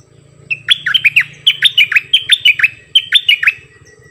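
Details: Cream-vented bulbul double song, June 2021: a steady stream of about a dozen loud dipping whistles in quick groups, over a low background rumble.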